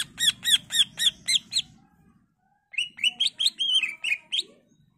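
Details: Greater green leafbird singing a varied, energetic song meant to draw replies from other leafbirds: a quick series of six sharp repeated notes, a pause, then a tumbling run of whistled and chattered phrases.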